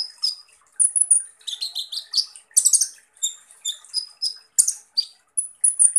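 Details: Van Hasselt's sunbird (kolibri ninja) in a harsh, fast-paced song: a continuous string of high, scratchy, buzzing bursts and thin whistled notes, with dense trills in the middle and brief silences between phrases.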